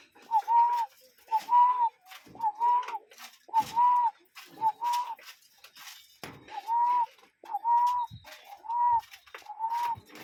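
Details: Cuckoo calling in a natural setting: a long regular series of hollow paired notes, a quick first note and a longer second, repeated about once per second with a short gap midway.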